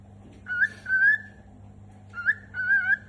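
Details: A pet cockatiel gives two short, wavering whistled phrases, each with a quick upward flick before a held warble.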